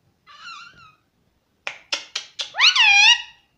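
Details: A pet parrot that repeats "mummy" in a small room. It gives a faint wavering note, then four sharp clicks, then one loud, rising and falling harmonic call.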